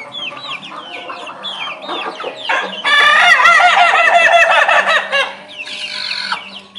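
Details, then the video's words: Ayam ketawa crowing with its sweet voice. Chirping and clucking notes lead into a loud, long, choppy crow of rapid repeated syllables, followed by a softer trailing call. "Ayam Ketawa Bersuara Merdu"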